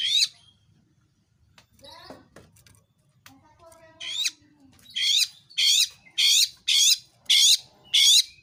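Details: Oriental magpie-robin sound meant to provoke other magpie-robins into singing: scattered soft notes, then a steady series of seven loud, rasping bursts repeated roughly every two-thirds of a second.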